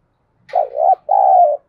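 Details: Spotted dove calling at dawn in the 'thúc gù' cooing style: two loud, low, hollow coos, the first wavering and slightly rising, the second a steady held note, each about half a second, with a short gap and a clean background.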